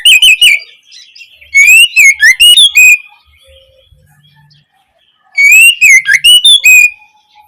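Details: Oriental magpie-robin song used to stimulate juvenile kacer to answer and sing steadily. Three loud bursts of rapid, warbling whistles and chirps, each about a second long, separated by near silence.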